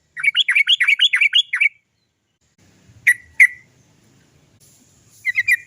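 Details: Rolling 'cok cok cok' song of a sooty-headed bulbul, played as a lure to start other birds singing: a quick run of about ten bubbly notes, silence, two sharp notes, then a short chatter.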